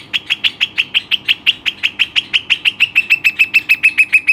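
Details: Pet western rock nuthatch delivering an even, fast run of loud, clear piping notes, roughly five per second, steady in pitch throughout with no other sounds.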